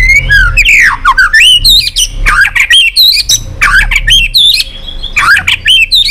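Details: White-rumped shama singing to rouse other pet shamas into song: loud, rapid run of looping, warbled whistles that bend up and down, with a dense burst of notes before a short pause and a final flourish.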